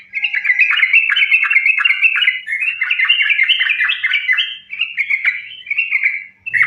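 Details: Sooty-headed bulbul pouring out dense, unbroken fighting-style song to provoke other bulbuls: a fast tumble of overlapping bubbly chirps and warbles with hardly a gap, easing into spaced phrases at the end.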